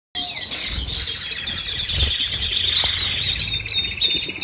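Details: Canary song: a continuous high trilling warble, fast rolling notes held at a steady pitch throughout, with faint low background rumble.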